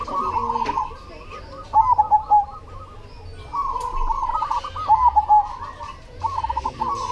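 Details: Zebra dove of the cemani type, singing steadily. Repeated phrases mix bubbling trills with crisp, stuttering coo notes, recurring every couple of seconds over a soft hum.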